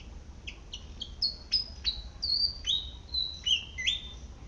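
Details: Foraging Malaysian pied fantail in a garden: a series of clear squeaky notes, opening with paired short chirps, then longer high whistles that drop and rise, about three per second.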